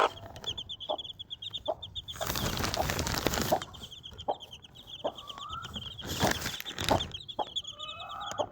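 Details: Desi mother chicken and four chicks: continuous high peeping from the chicks, spaced low clucks, a couple of rising whistled notes from a chick, and bursts of loud scraping noise.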